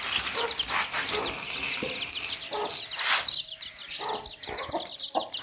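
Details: Thin, high chick peeps run steadily through a noisy, hissing background from baby chicks in a basket, with scattered lower knocks and clucks.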